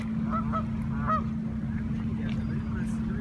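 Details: A flock of Canada geese in Toronto, Ontario, giving a few short nasal honks in quick succession, then a louder single honk near the middle, over a steady low engine-like hum.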